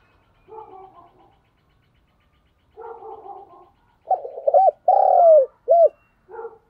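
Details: Spotted dove used as a decoy bird to call in wild doves; soft low hoarse coos, then louder looping cooing notes near five seconds, with pauses between phrases.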